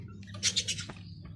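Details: Exhibition budgerigar giving a quick run of bright, high chirps over a steady low hum.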